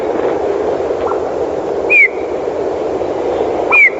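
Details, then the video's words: A Eurasian bullfinch singing in winter: two soft, piping whistles that fall slightly in pitch, about two seconds apart, over a steady background hiss. "послухайте як співає снігур"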